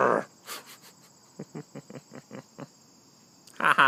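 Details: A female pet blue-and-gold macaw perched on her owner's shoulder jabbers in a run of seven quick, low, laugh-like "haha" syllables between louder, rougher bursts, over a steady high-pitched whine, after being asked to laugh.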